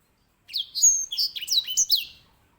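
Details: Grey singing finch, a small finch often kept as a master bird for canary song training, giving a loud, clear phrase of high sweeping whistles and slurred notes lasting about two seconds, with no other sounds.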